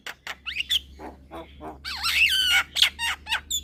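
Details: Young Javan myna in full song, bobbing its head: scratchy chatters and squeaks, then a longer, louder run of wavering whistles that twist up and down before breaking back into short rasping notes.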